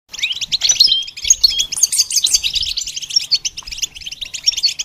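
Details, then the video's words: Goldfinch being trained to sing: a fast, bright twittering song of tinkling high notes and short buzzy trills, run together without pause. "The basics of training the goldfinch to sing"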